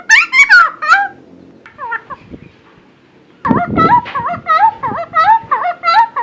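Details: Helmeted friarbird giving its loud song, recorded for training other birds: quick bursts of twanging, bouncy notes, then a short quieter stretch with a brief rough rustle before the lively repeated notes return.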